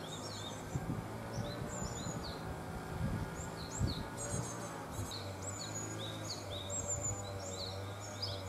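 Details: Japanese tits after fledging from a nest box, near woodland: many short high chirps, some slurred upward, scattered through the clip over a steady low hum and faint background rumble.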